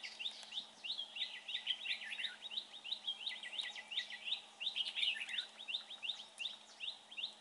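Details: Red-whiskered bulbul during bird trapping, praised for its fine voice: dense, rapid chirping notes between mid and high pitch, about three per second, in overlapping bursts with a steady low hum behind.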